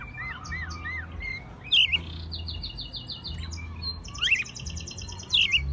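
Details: Captive American robin raised from a chick, singing in spring in Mexico City, March 2020; a few separated warbled phrases with sharp high squeaky notes, softer chirps early on, over a steady low hum.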